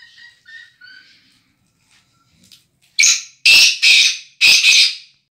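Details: Black francolin from a breeding pair. A few faint, thin whistled notes open the recording. After a short quiet gap come four loud, rasping, grating notes in quick succession, harsh and scratchy, delivered over about two seconds.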